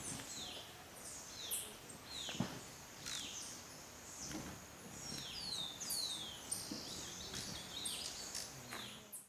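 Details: Buff-tailed Coronet (Boissonneaua flavescens tinochlora) in Bellavista Cloud Forest Reserve, Ecuador, May 2012, giving thin, high chips and quick downslurred squeaks, spaced irregularly through a steady hiss of background noise.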